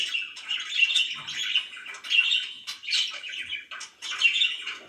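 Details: Domestic budgerigar chirping in bursts of scratchy, twittering chatter, each lasting about a second and separated by short gaps, with occasional sharper squeaks.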